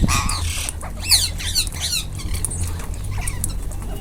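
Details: A group of ringneck parrots eating together, giving sharp harmonic squawks that sweep up and down, several in quick succession early on, then softer scattered calls over a low background hum.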